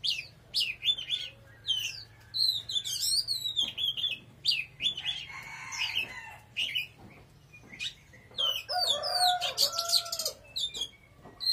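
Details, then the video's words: Oriental magpie-robin singing strongly: varied, fast whistled phrases with sliding notes and short chirps, and a lower drawn-out crowing-like call from another bird near the end. "Choè than hót cực khủng"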